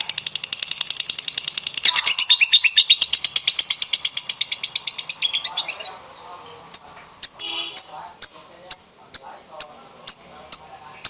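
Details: Lovebird prompting song for getting other lovebirds to sing: several seconds of rapid, shrill, buzzy chatter that fades out, followed by a string of single sharp whistled chirps about every half second.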